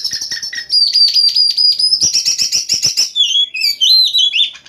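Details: Oriental magpie-robin in full night song, meant as a lure for other magpie-robins: rapid clicking notes over a long steady whistle, then a burst of harsh repeated trills and looping warbled whistles.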